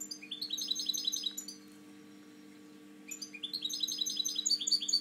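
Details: Captive breeding European goldfinch twitters rapidly in bright, high, chattering notes, falls silent for over a second, then launches into another lively run; electrical hum steady throughout.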